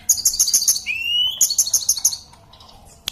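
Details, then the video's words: Singing Sunda robin, known locally as tledekan: a fast series of very high, ringing trilled notes, a long smooth rising whistle, then another rapid high trill, ending in quiet with one sharp note. "Tledekan/ burung sulingan Gunung"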